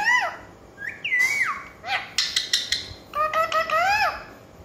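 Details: Parrot talking: a run of loud, harmonic, wavering calls that rise and fall, ending in a longer sweeping phrase, with brief sharp noisy bursts in between.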